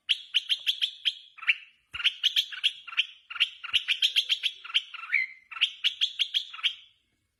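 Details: Red-whiskered bulbul in contest singing, described as set outside and calling shrilly. Fast runs of bright, clipped notes follow one another in quick phrases with brief gaps and a faint tap in the background.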